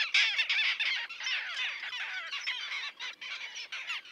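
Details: Loud, crowded chorus of grating, downslurred calls from a small Common tern colony with chicks at Liepāja, Latvia, in June 2024, on concrete near a sea mole.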